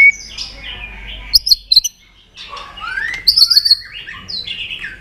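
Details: White-rumped shama provoked into fighting song: varied whistled phrases with sharp high ticking bursts, a pause, then rising slurred whistles and a high trill of rapid clicks.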